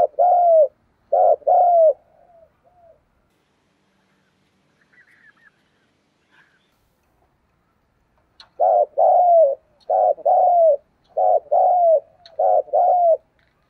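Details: Urging coo of a spotted dove decoy bird: two short-long coo pairs, a quiet gap with faint chirps, then four more hurried coo pairs, each pair a clipped note and a drawn-out falling one.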